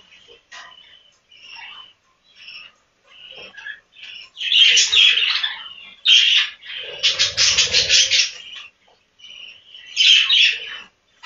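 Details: Budgerigars in a farm breeding room: scattered soft chirps that build into louder squawking bursts and a rapid stuttering chatter near the end, with a faint low hum underneath.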